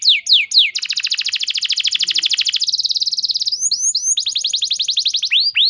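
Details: Canary training song meant to draw other canaries into singing: several down-slurred notes lead into a long, very rapid rolling trill of nearly three seconds, then shorter trills and a final swooping whistle.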